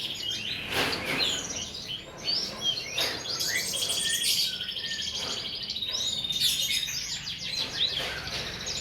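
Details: Assorted birds recorded as masteran tutor song for cage birds: busy high chirps, buzzy trills and short whistles in overlapping bursts, steady low hum under the whole passage.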